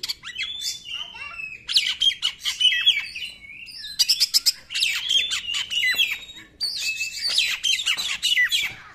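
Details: Oriental magpie-robin singing to provoke other magpie-robins: long, varied, nearly continuous phrases of whistles, downslurs and harsh chattering notes, with brief pauses between bursts.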